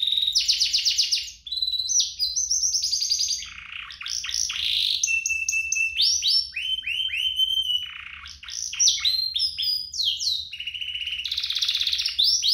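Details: Pair of strongly singing canaries, a tutor recording for young canaries: rolling trills alternate with clear sliding whistles, upsweeps and sharp chips, a continuous varied song with tours changing every second or two.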